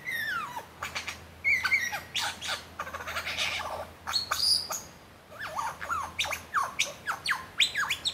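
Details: Superb lyrebird showing off and singing at the foot of Martin's Lookout, Gembrook Creek: a varied run of sharp whistles, descending sweeps, clicks and harsh bursts, changing quickly from phrase to phrase, over a faint low hum.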